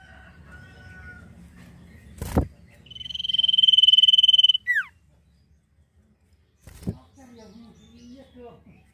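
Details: Common iora's "nyiul" song: after a sharp knock, a trembling high whistled trill swells for nearly two seconds and drops into a descending slur, then another knock and soft chatter.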